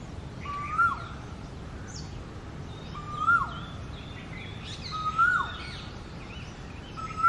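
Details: Male Asian (Indian) koel singing in its territory from a ficus tree as the summer breeding season approaches: loud, rising two-note 'ko-el' whistles about every two seconds, with faint chirps of other birds and a low background rumble.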